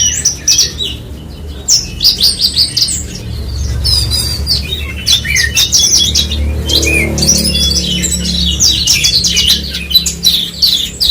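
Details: Horsfield's bushlark, known as branjangan, sings a dense run of sharp high chirps, rising and falling whistled slurs and rattling notes. Constant low background hum underneath.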